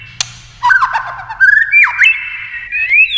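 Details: White-rumped shama singing in competition, many-voiced fighting style: after a sharp click, a run of loud whistled notes with swooping slides and pitch jumps, ending in rising whistles.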